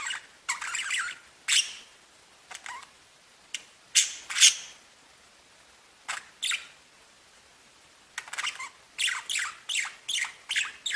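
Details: Pet budgerigars singing and chirping: scattered short bright chirps in bursts, then a quicker run of sharp tweets near the end, with brief quiet gaps between.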